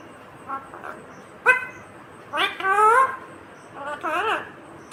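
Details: Green Indian ringneck parakeet talking, starting with a soft syllable, then a sharp short note and two longer wavering, nasal word-like phrases with bending pitch, clear over a quiet room.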